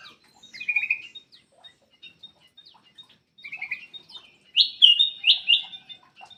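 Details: Black-crested bulbul singing energetically as a lure for birds that will not sing; scattered soft chips, then loud slurred, liquid phrases rising in pitch toward the end.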